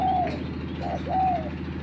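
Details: A spotted dove, a lure bird matched with a newly trained bird, gives two brief arched coo notes over a low, steady hum.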